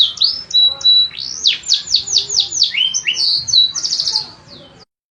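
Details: Canary song of loud arching whistled sweeps, a run of repeated rolling notes, then a quick trill that fades into silence.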